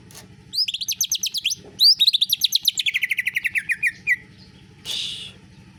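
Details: Greater green leafbird song in canary style, a quick series of high slurred notes giving way to a long rapid trill that falls steadily in pitch, closing with a brief harsh buzz.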